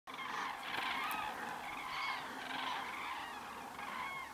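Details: Common crane calling in a flock: many overlapping trumpeting, harmonic calls around the middle register blend into a steady chorus, with a few clearer rising notes standing out above the continuous din.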